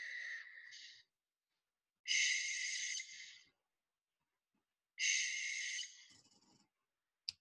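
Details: Barn owl screeches played back for learning: three rasping, breathy shrieks of about one second each, spaced roughly three seconds apart, with near silence between them.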